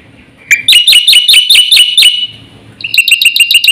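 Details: Black-winged starling singing energetically with full varied fill-ins, a song used to prompt and tutor other birds: a short burst of sharp clicks, then fast repeated bright chirping notes with a ringing overtone, a pause, and a second quicker run of chirps.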